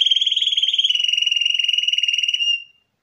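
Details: A 2021 champion canary delivers one long, evenly rolled trill of rapid pulses that drifts slightly lower in pitch over about two and a half seconds, then stops cleanly into silence.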